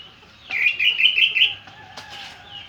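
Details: One sustained, buzzy warbling phrase of an orange-headed thrush lasting about a second, then quieter trailing notes and faint background whistles.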